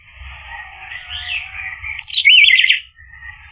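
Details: Orange-headed thrush song used as a lure to prompt a bird to answer and sing: a steady hissing band, then a loud burst of rapid, bright, warbled whistles lasting under a second before fading.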